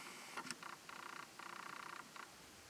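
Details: Isabelline (Daurian) shrike, Lanius isabellinus, at Sena, Jawai Bandh, Rajasthan, India, in February 2020, calling with harsh, rapid chattering bursts, each a quick stuttering run of notes, over a faint steady hiss.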